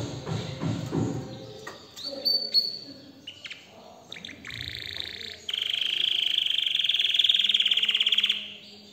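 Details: An excited canary sings. Scattered short notes and low background noise give way to a loud, sustained rapid trill of even pulses lasting about three seconds.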